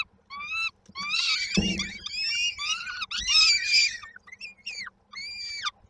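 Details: Peregrine falcon chicks at Koszalin, Poland, 19 May 2022, awaiting their mother with food; wavering, plaintive screeches in groups, with one brief low thump, then thinner single cries toward the end.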